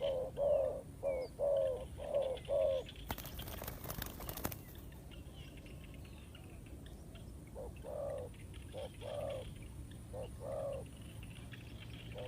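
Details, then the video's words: Spotted dove calling as a decoy for bird trapping: a run of four short, mellow coos near the start, then a loud rattling burst of noise, followed by further spaced low coos over a steady hum. "The Sound of Spotted dove"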